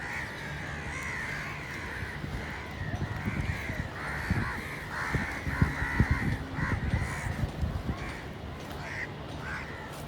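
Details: Crows call in a busy chorus: raspy caws stacked closely, peaking in a thick cluster around the middle, with scattered low thuds and a steady hum beneath.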